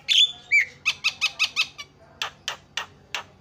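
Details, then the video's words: Jalak starling singing to stir other birds into song: two loud whistled notes, then a steady train of about five short rasping chirps, and four more evenly spaced harsh notes after a short pause. "SEKALI PENCET JALAK LANGSUNG PADA CEREWET"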